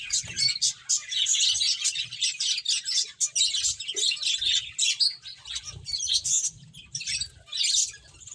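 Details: Playing finches keep up a lively stream of short, bright tweets in clustered bursts separated by brief gaps. Soft low rustling lies underneath the chatter.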